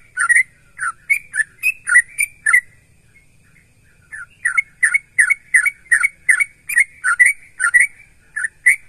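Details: Sooty-headed bulbul in full song, used to prompt other bulbuls to answer: rapid series of bubbly whistled notes in two bursts, each note dipping and rising, with a short pause between bursts; a faint low hum underneath.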